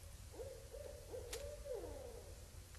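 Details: Barred owls vocalizing at night in autumn 2012 at Indian Cave, with raccoons scurrying near the microphone; a run of mid-pitched hoots slurred together, rising and falling, over a low rumbling background.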